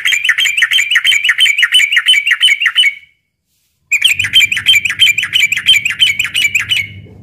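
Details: Yellow-vented bulbul fighting sound, recorded in daytime and used as a lure for young bulbuls: fast runs of sharp, buzzy chips repeated about three per second for three seconds, a short silence, then more chips over a low hum.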